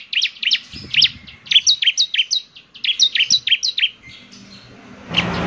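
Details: Bar-winged prinia (ciblek semi) singing actively, its distinctive voice provoking other ciblek semi to answer; quick twittering runs of paired high notes in two phrases, ending with a burst of broadband noise.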